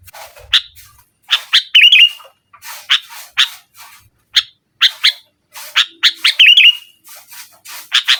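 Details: Sooty-headed bulbul, called kutilang, singing loudly to press a rival: clear bubbly whistled phrases around mid-high pitch, short rapid notes in bursts roughly every second with brief rolling trills, no other sounds.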